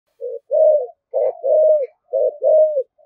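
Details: Spotted dove cooing in the thổ thúc gù style, described as very fierce: three paired phrases, each a short low coo followed by a longer level coo, given about once per second against a silent background.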